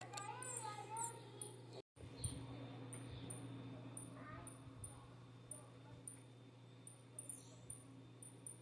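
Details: Saffron finch chicks begging for food: thin, high chirps repeated at a steady rhythm several times a second, with a woman speaking briefly at the start and a low steady hum throughout.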